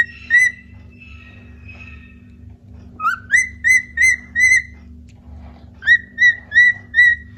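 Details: A cockatiel, one of two pet cockatiels singing and playing, sings runs of clear whistled notes, each sliding up into a steady tone; Cockatiel (Nymphicus hollandicus) song.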